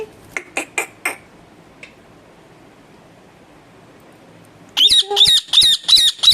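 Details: Pet parrot that talks: a few soft clicks, a long quiet pause, then a quick series of loud, harsh repeated squawks at the end.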